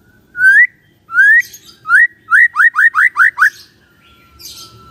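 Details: Morning song of a white-rumped shama, used as a lure to make silent shamas answer: long rising whistles, then a quick run of six upslurred notes, ending in a soft steady whistle.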